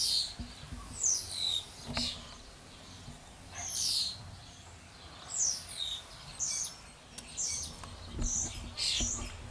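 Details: Common starlings chatter around a nest box on a tree in bursts of high whistles, squeaky slurred notes and dry clicks, a varied jumble renewed every second or two, with faint background noise.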